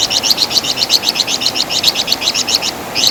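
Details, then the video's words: Master song for training songbirds, from the Javan fulvetta, locally flamboyan or wergan jawa. High chirps, often paired, follow one another steadily at about four per second, with one short pause near the end. "Masteran Suara Burung Flamboyan | Wergan Jawa"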